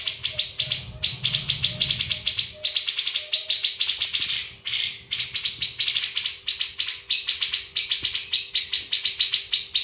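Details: Bearded bulbul kept in a cage, pouring out continuous rapid chattering song with short pauses, over a faint low rumble and steady hum.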